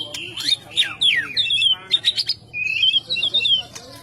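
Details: White-rumped shama song of clear whistled phrases: steep descending slurs, then a wavering, rolling whistle held for about a second. Low voices of people chatting can be heard underneath.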